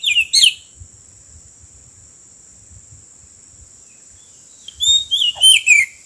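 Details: Roadside trapping of an Oriental magpie-robin; a brief sweet whistled phrase opens, followed by quiet handling sounds, then a longer burst of varied, rising and falling whistles near the end, with a persistent high hum.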